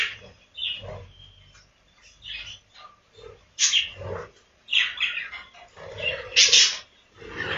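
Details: Budgerigars kept in a farm breeding room give scattered short chirps and squeaky warbled notes, spaced by quieter gaps, several birds calling in turn.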